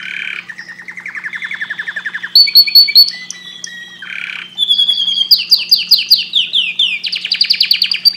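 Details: Canary singing loudly and at length: a fast mix of buzzy rolls, sharp high chips and rising sweeps, then quick repeated whistled notes near the end, over a steady low electrical hum.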